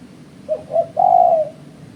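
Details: Spotted dove calling, recorded for use as a trapping lure: two short soft coos, then a longer drawn-out cooing note that slides gently downward, set against a faint low hum.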